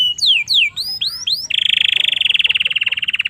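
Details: Domestic canary singing in Indonesia as a tutor for young canaries: several slurred whistled notes, followed by a long steady rolling buzz of rapid pulses lasting nearly two seconds.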